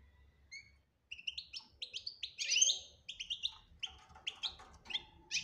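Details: European goldfinch singing betbta with tasfia, meant to make a silent goldfinch start singing: a few soft notes, then a fast run of sharp, tinkling twitters, a loud buzzy flourish and more repeated chirps.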